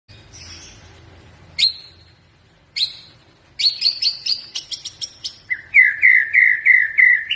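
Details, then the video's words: White-rumped shama singing continuously, used as a lure to get other birds singing: scattered high whistles, a burst of sharp chipping notes, then a run of rapid rising slurred whistles repeated about three per second. "Burung murai batu gacor bagus untuk pancingan burung biar bunyi"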